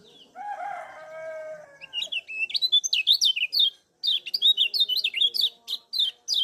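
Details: Kecial kuning (lemon-bellied white-eye), Lombok, in lively chatter used as a lure to get other birds singing: a long, low, harmonic crow first, then rapid, high, sharply rising and falling twittered notes in quick bursts.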